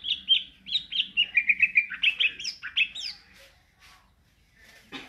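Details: Greater green leafbird singing ngentrok style: a fast stuttering sequence of clipped whistled notes with rising and falling inflections, rapid chips in the middle, then a fade to near silence.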